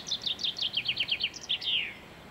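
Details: Common chaffinch singing in a garden on 23 February 2016: a rapid run of high, descending chirping notes in short groups, closing with a brief flourish that slides downward.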